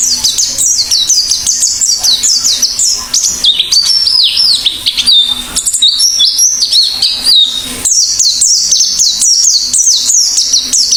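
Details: Long, lively Oriental white-eye song: continuous high, tinkling, downward-sweeping notes, mixed twitters midway, then another rapid chattering run. A faint hum sits beneath.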